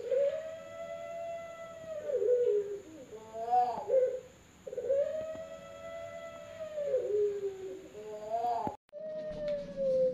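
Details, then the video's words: Competition-line Pelung turtle dove, top and middle class, from Central Java breeders, singing long level coos that bend downward and end in short wavering notes, repeated twice with a steady hum in the background. "Contoh Irama Puter Pelung Trah Lomba Kelas Utama dan Madya"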